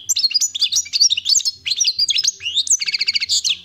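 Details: European goldfinch, described as wild-caught, singing a fast tinkling twitter of high slurred notes that closes with a quick run of repeated pulsed trill notes.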